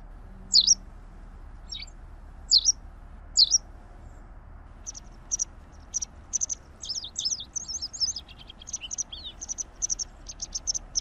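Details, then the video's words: White wagtail, Motacilla alba, singing: a few separate high chirps, then a fast run of twittering, warbling notes and quick repeated high ticks through the second half, above faint low hum. "Canto de la Lavandera Blanca"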